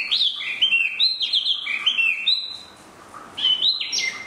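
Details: Spot-throated babbler song: bright, high whistled notes in quick phrases, some sliding down and others stepping up, with a short pause before a final burst.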